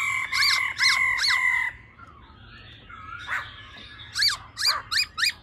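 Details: Female laughingthrush calling in the 'ro ro' manner used to excite males: three strong ringing notes with sharp downward strokes, a quiet gap with faint murmurs, then four short sharp chips.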